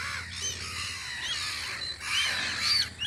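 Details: Spring gulls on Audru polder calling from their guard post: a dense mix of harsh overlapping cries and thin high whistled notes, rising toward the end, over a faint low hum.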